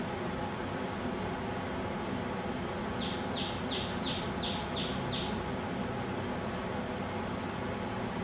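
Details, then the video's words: Common tailorbird singing in a garden gives six sharp, high, downslurred notes, one about every half second, over a steady rumble of distant traffic. "Singing Common Tailorbird"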